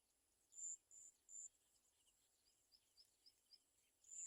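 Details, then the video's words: Olive-backed sunbird mother with young birds that fell and cannot feed; three sharp high whistled notes in quick succession, then a run of soft short chirps, and another high note at the end. "Garden sunbird mother Baby Birds small fall can not eat"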